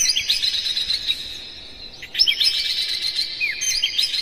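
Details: Oriental magpie-robin singing energetically with mimicked phrases, used as a lure to excite other magpie-robins: dense, high twittering and quick slurred whistles in rapid bursts, with a brief lull midway before the chatter resumes.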